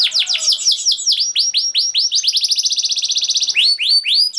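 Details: Canary in fast, tight continuous singing used to coax silent canaries into song: rapid rising whistled notes sliding into a long buzzy trill of evenly repeated syllables, then more upswept notes.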